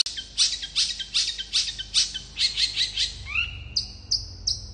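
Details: Long-tailed shrike with fast, dense song that provokes other shrikes to answer, mixing scratchy, harsh bursts with a few drawn-out whistles and ending in clipped high notes.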